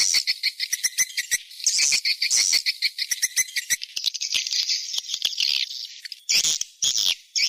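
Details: Swiftlets calling in a 'seruling sakti' attraction sound for a nest house: fast, high chattering chirps and buzzy trills, run together in waves with a few short pauses.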